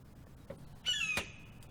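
A blue jay gives one harsh, slightly falling scream, about a third of a second long, imitating a hawk. A sharp click follows amid quiet indoor room tone.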